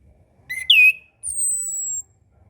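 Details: Orange-headed thrush master song for tutoring young birds and birds with low breeding drive: a rising whistle with a loud downslurred note, then one long, thin, very high whistle held steady and slowly falling.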